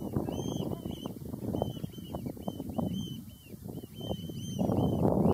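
An oystercatcher gives a rapid run of shrill, high piping 'kleep' notes, about three a second, over loud low rumbling wind or engine noise.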